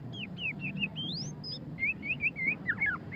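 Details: Murai batu (white-rumped shama) singing ngeriwik style: a string of clear whistled notes, including a long rising slur, followed by a quick set of short repeated whistles and tumbling downslurred notes, over a low background hum.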